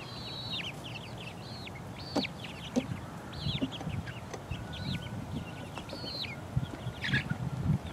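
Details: Chicken chicks four weeks old, pecking about, give clear high peeps, short and downslurred, with a few longer level whistles; soft thumps and rustling beneath.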